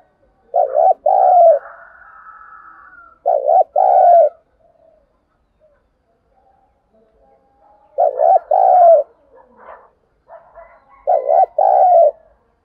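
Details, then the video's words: Lure calling of a spotted dove meant to excite other doves, four paired coo phrases spaced a few seconds apart, each a short note followed by a drawn-out falling coo, with faint higher twittering in the gaps. "Tiếng chim cu gáy mồi thúc bổi rất sung"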